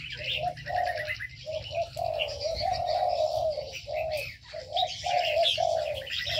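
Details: Birds in an aviary producing rolling low cooing phrases, some short and clipped, others long and sustained, accompanied by constant higher chirps and twitters.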